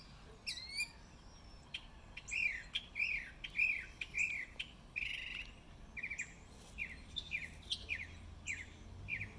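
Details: Northern mockingbird singing in spring, recorded March 26, 2020: a varied run of sharp chirps, rising slurs and buzzy phrases, several repeated two or three times before switching, over faint low background rumble.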